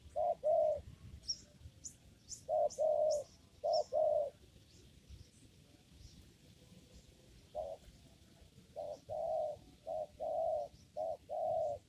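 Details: A spotted dove coos in a papaya garden while being lured for trapping, giving clusters of two or three low notes separated by pauses, as small birds chirp thinly in the background.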